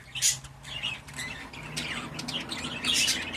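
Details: Pet budgerigars making a run of rasping squawks and high chirps, a sharp note at the start, then steady scratchy warbling that rises in strength toward the end.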